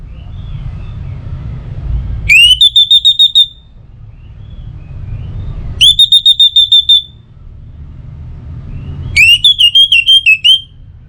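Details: Orange-headed thrush song, used to get other birds singing morning and evening: three phrases a few seconds apart, each a rising whistle running into a rapid rattling series of clear notes.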